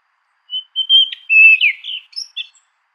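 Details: Orange ground thrush song phrase: thin opening whistles building into a rapid jumble of fluty, slurred and trilled notes, ending in a few short high chips.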